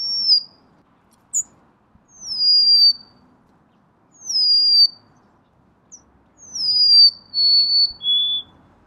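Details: Golden-crowned sparrow song: pure descending whistles repeated every couple of seconds. The final phrase steps down through three notes, each lower than the last. Faint low rumble in the background, plus an occasional short high chip.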